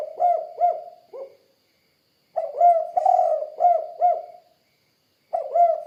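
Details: Cooing of a spotted dove (tekukur): soft, mellow hooting notes in short groups of three or four, the last note trailing lower, with pauses between groups and no other sounds.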